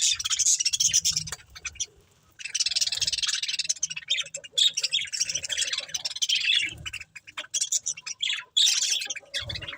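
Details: Budgerigar breeding pair chirping: scratchy, high warbled bursts broken by a brief silence near two seconds, then continuing with sharp squeaky notes.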